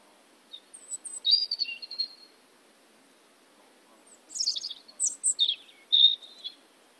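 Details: European robin in Rača, Bratislava, Slovakia, singing two high, tumbling phrases of thin whistles and trills, separated by a short pause, over a quiet background.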